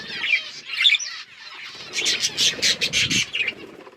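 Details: Several budgerigars chirping; dense, scratchy warbling and squawky chatter, with a run of rapid harsh pulses in the second half, and a faint low rumble underneath.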